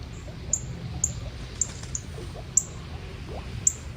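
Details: A Northern Cardinal gives sharp, high, metallic chips, about six unevenly spaced over four seconds, on a cold night at Riverside Campground, Two Rivers State Park, about 100 ft from the Platte River, with a low rumble of icy running water.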